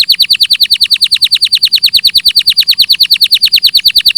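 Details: Canary singing a steady, very fast trill of identical downward-slurred notes, several per second, sustained for over four seconds, loud and clear without background sounds.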